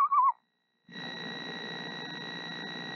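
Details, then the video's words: Mother screech owl sitting on her eggs gives a soft, wobbling, falling trill at the very start, followed by a brief silence and then a steady droning hum. "Mother Screech Owl Sings To Her Eggs"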